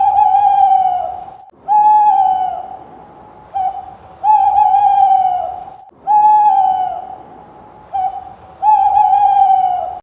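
A screech owl gives steady, even-pitched trilled notes about one to two seconds long, repeated after short pauses, with some briefer fragments between. The background is quiet.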